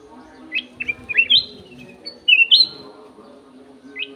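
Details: Golden-fronted leafbird kept in an aviary, singing clear, varied phrases: scattered short chirps building into looping, sliding whistles, a brief pause, then a loud double-note phrase and a final short chirp.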